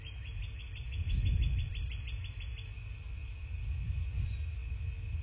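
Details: A bald eagle calls at its nest in southwest Florida, recorded by a nest cam on a February 2024 morning. Rapid high piping notes run for two seconds, then fade into rumbling background noise and a faint steady tone.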